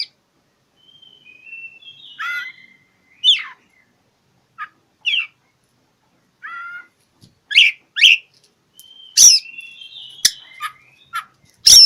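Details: Oriental magpie-robin singing to challenge a rival, offered as a lure to stir silent magpie-robins into song: sweet whistled notes around mid pitch mixed with harsh, scratchy bursts and sharp clicks, in uneven phrases across about twelve seconds.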